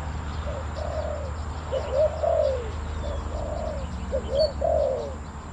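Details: Spotted dove calling during decoy trapping of wild birds at a site in Thailand: three deep cooing phrases, each a short note followed by a longer descending, slurred coo, roughly every one and a half seconds, over steady low hum.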